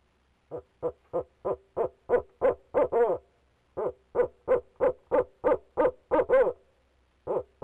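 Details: Male barred owl calling from inside a nest box, on a live camera in Leesville, 2018: two rapid runs of about eight hoarse, even hoots, roughly three per second, the last notes slurred and louder, with a short pause between runs.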